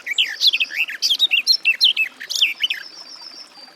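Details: Rapid melodious warbling by a garden warbler, a chain of looping notes ending in a thin drawn-out high tone.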